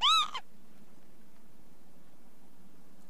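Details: Brief arched Northern lapwing cry right at the start, ending in a short clipped note, followed by a few seconds of low hum.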